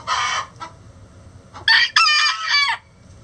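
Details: Chicken egg song: two bursts of harsh clucks, then a loud, drawn-out cackle of stacked, slightly falling notes ending in a sharp drop, in a quiet farmyard.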